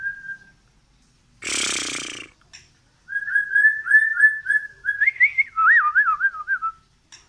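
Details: Medan white-rumped shama singing continuously as it pushes its tail: a short whistle, a loud harsh noisy burst, then a run of repeated level whistled notes turning into quick wavering, trilled loops.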